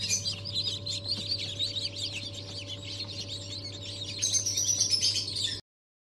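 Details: Many freshly hatched ornamental chicks from the first hatch of 2023 chirping rapidly, about three high peeps per second in overlapping bursts, louder toward the end, with a low constant hum beneath.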